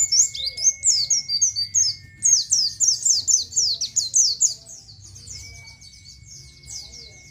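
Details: Oriental white-eye song in the nGalas style, used as tutor material for captive birds: rapid, high, sharp chirped notes 'ciet ciet' in dense bursts, with a steady thin whistled tone in the background, fading toward the end.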